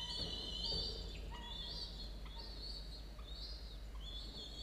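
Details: Two falcon chicks, 17 and 13 days old, on a nest camera at a university, early morning of 27 October 2022; drawn-out harmonic wailing calls that slide downward at their ends, repeated in overlapping bouts over a steady low hum.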